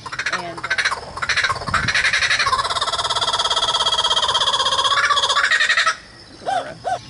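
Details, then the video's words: Irwin is named after a public figure, not a private person. Hand-raised Laughing Kookaburra, a zoo program animal, gives its loud, laugh-like rolling cackle of rapid, harsh notes for about six seconds, then a few short chuckles winding down; it often calls when it sees another bird. "So one of the things many people know about Kookaburras is their very unique laughing call."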